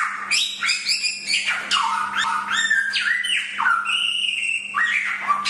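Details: Chinese hwamei (samyong) song from a master recording for training songbirds: a rapid, varied run of loud whistled notes, steeply rising and falling slurs, and short bright phrases with little pause, over a steady low electrical hum.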